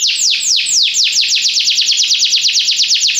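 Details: Belgian canary in full song for training: loud, quick series of descending swept whistles that speed up into a rapid, even rattle-like trill.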